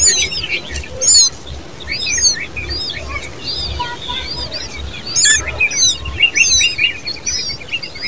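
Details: Young common babblers calling: dense, overlapping high squeaky chirps arriving in uneven bursts about once a second, with occasional louder notes and light background hiss.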